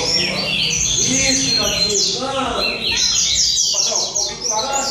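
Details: At a singing competition in São Vicente, rusty-collared seedeaters give fast, ringing runs of high whistles and buzzy slurs that layer over one another, accompanied by audible male speech nearby.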